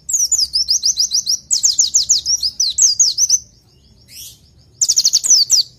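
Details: Masteran song of the oriental white-eye for tutoring caged birds: a long, quick series of high, sharply downslurred notes lasting over three seconds, a single soft chirp, then another brisk twittering burst.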